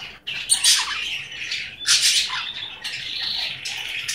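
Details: Pet male Goldie's lorikeet indoors, a talking bird: harsh, high, raspy squawks and screechy phrases in several bursts, loud and continuous.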